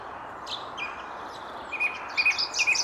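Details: Song thrush (Turdus philomelos), one of many, sings short, bright, high notes in a quick burst, repeating a brief phrase near the end, over soft hiss; Jardin du Roi, Château de Versailles, 19 February, around 9:30, misty weather broken by sun.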